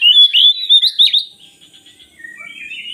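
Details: An oriental magpie-robin, in a recording intended to stir reluctant birds into song, gives a loud burst of whistled, slurred notes that then fades into quiet, thin warbling.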